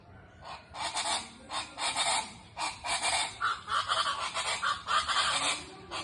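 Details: Chachalacas, called guacharacas, waking farmers at dawn in rural Colombia: a loud, harsh chorus of repeated raucous notes, about three or four bursts per second, pulsing and overlapping throughout.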